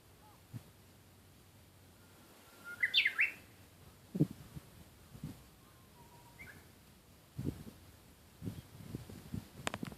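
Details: Japanese bush warbler singing: a steady whistled note rises into a quick burst of higher, sharper notes. Other faint whistles and several low knocks and thumps are heard around it.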